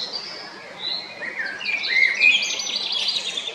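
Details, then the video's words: Male Eurasian blackbird at Jarun in Zagreb, Croatia, recorded 22 April 2021: soft whistled notes build into a rich fluted warble that breaks into a dense, high, squeaky twitter. "Kos, mužjak (Turdus merula) (Birds of Croatia - Blackbird, male)"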